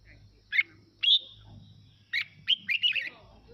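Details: Red-whiskered bulbul singing as a lure for other birds to join in. A chirp and a drawn-out whistle are followed by a lively cluster of quick warbled notes near the end, over a steady low hum.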